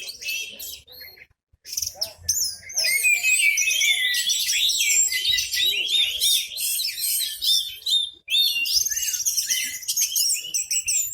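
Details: Orange-headed thrush, a kept bird, singing at full volume with tail opened while other birds join in; long stream of sharp, tumbling whistles and chattering notes, nearly continuous after a short quiet start.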